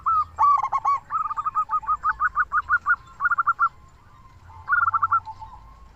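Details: Lively local zebra dove calling as a lure for other doves. A loud opening stutter leads into a fast run of about fifteen clipped coos, then a shorter run after a pause.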